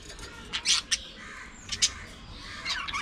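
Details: Budgies uttering sparse, sharp squawks and clipped chirps, a pair close together early on, another pair midway, then a softer scratchy warble at the end.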